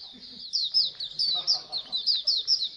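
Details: Oriental white-eye colony, played to coax kept birds into singing more: dense, high, rapid chirping twitters in bursts roughly every quarter second, many voices overlapping, with faint low murmuring underneath.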